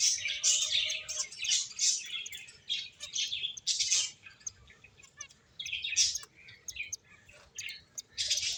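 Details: Several playing finches give bright, high chirps and rapid twittering in bursts, with quieter gaps and a faint lower whistle early on.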